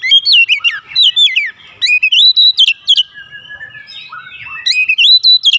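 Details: Lure song of an agitated Oriental magpie-robin: loud, continuous sequence of varied, sweeping whistles and sharp chattering notes, pausing briefly before resuming.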